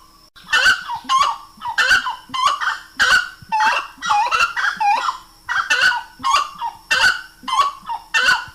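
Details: Slaty-breasted wood rail giving a steady series of loud, raspy honks, paired and tripled notes that swoop down and up, carrying on without a break for several seconds.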